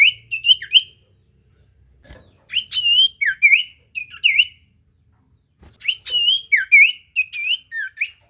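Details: Common iora song used as a lure to draw replies from other ioras: bursts of bright, slurred whistled notes, rising and falling, in three phrases separated by short pauses, with faint clicks between.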